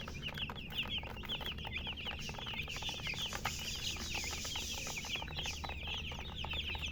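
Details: Many young chicks peep in a constant chorus of bright, falling chirps, several at once, with a steady low background hum and faint rustling.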